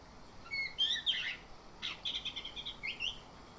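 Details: Orange-headed thrush, morning lure recording to prompt steady open singing; a bright descending whistled flourish, a harsh burst, then a rapid series of repeated high chips and a final slurred note against quiet hiss.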